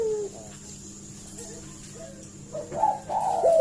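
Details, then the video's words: Collared dove calling as a lure to draw an answer: quiet at first with faint low notes, then a loud, wavering, rolling coo rises in the final second. "suara burung puter gacor ini pancingan nyaut"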